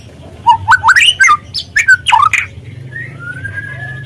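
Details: Spotted white-rumped shama, played to rouse other birds to sing; quick rising whistled notes in a burst, then a soft drawn-out whistle, with low background hum.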